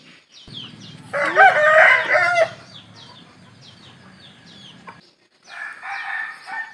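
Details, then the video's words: Rooster crow, loud and coarse, lasting about a second and a half. High chirps from small birds are heard through the clip, and a second rough, fowl-like call rises near the end. "Ayam Jantan Berkokok | Suara Ayam berkokok"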